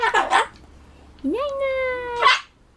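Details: Indoor pet Solomons cockatoo, known to scream at loud noises like public announcements and campaign cars, gives a harsh burst, then a long steady whistled tone that drops slightly, ending in another raspy squawk.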